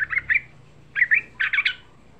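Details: Three short bursts of bubbly, rising-and-falling whistled notes from a young yellow-vented bulbul, a lure song for stirring up other bulbuls, with a faint low hum beneath.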